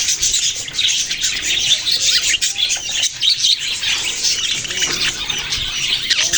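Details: Chirping budgerigars: an unbroken stream of rapid, high, scratchy twittering with scattered squeaky notes. The chatter holds a steady intensity throughout, with no other clear sounds.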